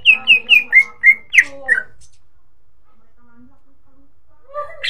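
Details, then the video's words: Greater green leafbird lure song meant to set other birds singing: a quick run of seven loud, clear whistled notes, each sliding downward, delivered about four per second, then a long silence and a faint rising phrase at the end. "Cucak ijo di jamin ikut gacor pancingan cucak ijo"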